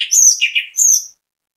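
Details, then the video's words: Orange-headed thrush (anis kembang) singing a bait song to draw other birds into song: two very high, bright whistled bursts with quick chirps between, ending abruptly. "ANIS KEMBANG GACOR MEMBUAT ANIS KEMBANG IKUT BUNYI, PANCINGAN ANIS KEMBANG"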